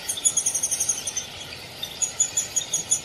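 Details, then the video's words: Downy woodpecker calling: quick runs of high, thin, chipping notes, two bursts of about a second each separated by a short pause, with a faint steady background hiss. "SOUND OF A DOWNY WOODPECKER 🔊 What does a downy woodpecker sound"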